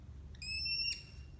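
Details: Malar, a very hungry captive American kestrel kept indoors on a dreary, cold late-autumn Tuesday in Minnesota, calls off camera: a single high, thin, steady note about half a second long, clear and slightly metallic, against a quiet hush.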